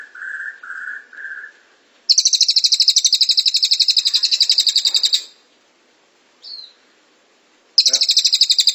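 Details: Velvet-fronted nuthatch (cililin) delivering tight 'tembakan rapat' bursts used to tutor songbirds: three lower whistled notes, then a three-second, very fast, high buzzing trill, a short silence, a brief chip, and another trill starting.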